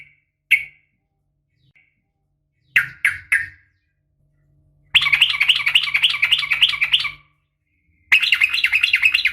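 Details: Sooty-headed bulbul female calling to a male, fighting-style garuda song: a few short sharp notes, then two long, fast, churring rattles, strong and even, broken by a pause, over a low background hum.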